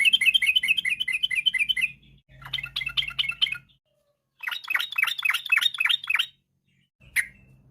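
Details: Yellow-vented bulbul song in the afternoon, used to stimulate other birds to sing: quick rolling chatters in three bursts, later notes sharper and more sweeping, with a low background hum and a final short note.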